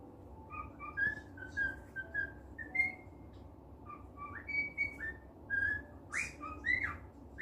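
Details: Pet cockatiel in a good mood, indoors, giving a run of short whistled notes, some rising, some level, spaced irregularly with a few brief buzzy chirps near the end, over a low room hum.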